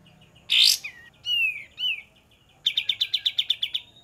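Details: Olive-winged bulbul used as a lure: a harsh burst, two descending whistled slurs, then a fast run of about ten bright chips.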